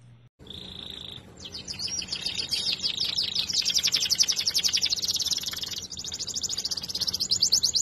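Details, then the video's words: Belgian and native canaries (canário-da-terra) singing: after a short pause, one steady high whistled note gives way to fast, buzzy rattling trills that run on and brighten in volume to the end. "Canários Belga e da terra excelentes cantos"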